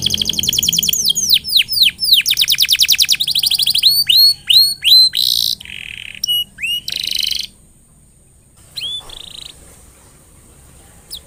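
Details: Canary in full song, meant to stimulate other canaries: falling whistles and rapid trills, single swooping notes, buzzy bursts, then a quiet gap with a few scattered chirps at the end.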